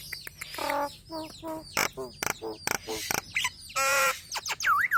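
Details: Nias hill myna song used as a cage-bird tutor: rich nasal honks and cracking clicks, then a long buzzy note and a looping whistled phrase.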